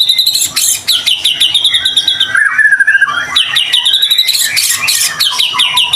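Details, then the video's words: White-rumped shama in energetic song, played to provoke other shamas into singing: dense rapid chattering notes, then a run of falling whistles and bright high trills, continuous and very varied. "Murai batu gacor AMPUH buat PANCINGAN murai batu agar bunyi LANGSUNG NGEPLONG"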